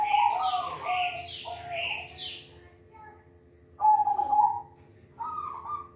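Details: Silver-variety zebra dove kept in a cage, used to stimulate other doves to sing: a run of three quick bubbling coo notes, a pause, then two longer clear mellow coos, all fairly loud against a quiet background hum.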